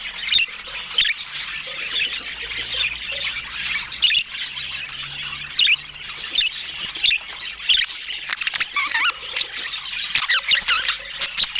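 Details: Several budgies squawk and chirp in steady overlapping chatter, scratchy warbles and brief high notes, with a low faint hum underneath.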